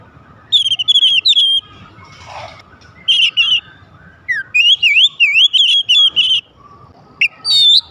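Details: Energetic Oriental magpie-robin song used to provoke other magpie-robins to sing: rapid series of bright whistled notes and zigzagging phrases, about three per second, with brief pauses between bursts.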